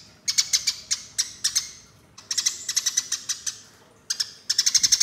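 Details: Lure recording of Eurasian tree sparrow fighting calls: clipped, high chirps delivered in three rapid groups, each lasting about a second or two, with quiet pauses between them.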